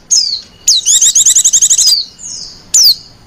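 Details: White-eye, female, in whiny coaxing call meant to attract others of its kind: a sharp falling whistle, then a second-long run of rapid pulsed chattering notes, a fading slur, and another falling whistle.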